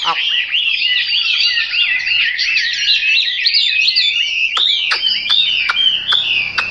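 A Chinese hwamei pours out a loud, rapid run of rich, looping whistles. Toward the end come sharper down-slurred notes, with a few dry clicks.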